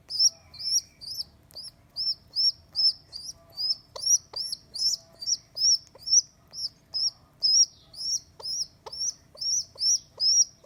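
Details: Rescued squab rock pigeon, left by its mother on a neighbour's roof, second day in care: nonstop shrill squeaks, roughly two per second, with light clicks and taps between them.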